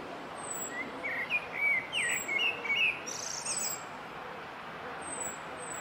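A common blackbird sings a brief, mellow fluted warble of looping notes, then a thin, high twittering flourish, over a steady hiss of background noise.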